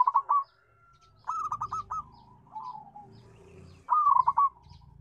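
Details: Zebra dove of local stock with a strong, sweet voice, giving fast trilled coo phrases that break into quieter descending coos, with a further loud stuttered phrase late on and faint low rumbling in the background.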